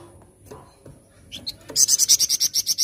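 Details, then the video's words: Gacor flamboyan bird: a couple of thin rising whistles lead into a sustained run of rapid, loud, grating high pulses, around a dozen in a second. "Burung Flamboyan Gacor Dorrrr"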